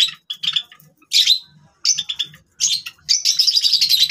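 A Java sparrow gives bursts of high, bell-like chips and clicks, ending in a rapid tinkling run of notes; faint low hum underneath.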